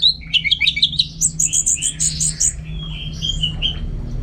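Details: Orange-headed thrush singing at home in Singaraja, North Bali: a fast chattering series of whistled notes, then high ringing repeated notes and softer trailing whistles, with a faint hum behind.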